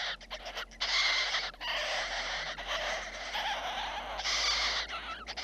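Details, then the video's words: Little jays being fed and jostling hard for food, giving rough hissing rasps in sustained bursts separated by brief pauses, several voices overlapping in a scratchy chorus. "The little jay is having dinner, and the competition for food is intense松鸦开饭了，抢食很激烈"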